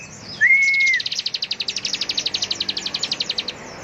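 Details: Ciblek, the bar-winged prinia, delivering ngebren song: one clear level whistle, then a long machine-gun trill of rapid high pulses running about two and a half seconds.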